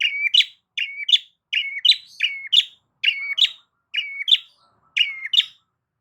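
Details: Long-tailed shrike calling loudly to draw a response from other shrikes: paired phrases, a flat whistled note followed by a sharp chirp, repeated about every three-quarters of a second.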